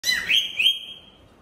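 A Chinese hwamei gives a quick run of three bright, slurred whistles that ends in a long, high, steady note fading away. Nothing else is clearly heard.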